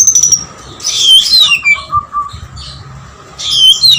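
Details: Oriental magpie-robin singing intensely, lovebird material: high whistles, then a loud buzzy, descending rush of notes, brief lower chips, and another harsh burst at the end.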